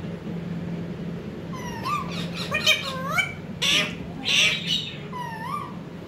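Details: A ringneck parrot alongside a baby parrot utters rising, upslurred whistled calls and rough, harsh squawks in a loose sequence, ending with another bending whistle; a steady low hum runs throughout.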